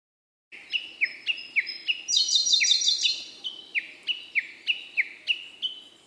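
Male Siberian blue robin song: a steady run of clear, downslurred whistled notes, about three a second, broken midway by a brief, higher, rapid twittering trill.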